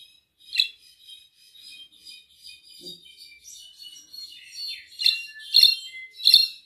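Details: Mexican brown-backed solitaire singing while held in the hand: a high, metallic, tinkling jumble of notes with a few downslurred phrases, building to loud ringing bursts near the end.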